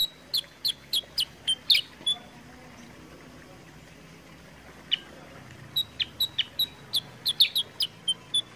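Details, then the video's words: Sooty-headed bulbul, kept as a cage bird, with green body and black head plumage, recorded as a lure to prompt other birds to sing. A burst of sharp, high chips comes first, then a pause, then a second quick run of chips. "pancingan suara kutilang sutra gacor jernih"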